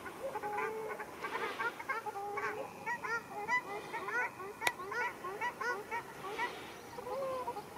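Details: Fight between ruddy shelducks in Arucas, Gran Canaria, 13 February 2021, with dense overlapping goose-like honks, rising and falling nasal notes tumbling over each other, and one sharp click midway.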